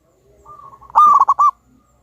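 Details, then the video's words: Local wild-type zebra dove (perkutut), a very vocal lure bird with a loud voice. Soft low coos lead into one loud phrase of four to five clipped, bubbling notes. The phrase ends abruptly. "Pancingan burung perkutut Lokal Alam super Gacor suara Besar"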